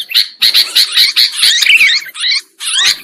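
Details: Trapping lure of sooty-headed bulbuls: a short, loud run of harsh overlapping chatter with bright slurred whistles, ending in a brief gap and a final burst.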